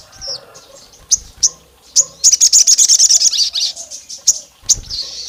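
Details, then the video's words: Olive-backed tailorbird female call, described as summoning the male and angering rivals: scattered single shrill chirps, then a dense burst of about twelve quick high notes, then more isolated chirps and a faint high trill. "SOGON GACOR MIRIP SUARA BETINA MEMANGGIL JANTAN LAWAN LANGSUNG EMOSI NGAMUK NEMBAK PANJANG"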